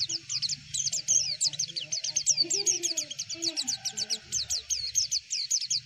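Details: Javan white-eye tutor song: a dense, continuous stream of high, sharp twittering chirps over a low background hum and some faint lower sounds.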